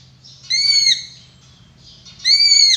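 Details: Drongo song, a sharp, shrill voice kept as a master song for training other songbirds: two loud, bright, ringing notes with strong overtones, each about half a second long and nearly two seconds apart, over a faint low hum.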